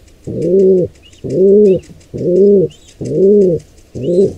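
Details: Intruder pair of wild pigeons attacking a nestling: five swelling, low cooing notes spaced just under a second apart, with faint scattered high chirps.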